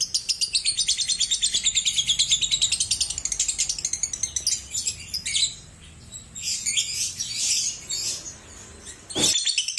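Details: Lovebird ngekek chatter for song therapy: fast regular high rattling pulses for several seconds, fading into scattered noisier chirps and a sharp click near the end.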